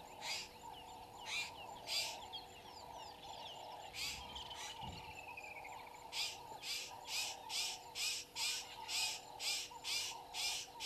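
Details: Woodland kingfisher in a tree beside the Gowrie dam wall, Djuma Game Reserve, Sabi Sand, South Africa, 07:56 on 01/03/22, from a live waterhole camera: one long descending rattling trill midway, amid loud rhythmic broadband bursts and constant insect drone.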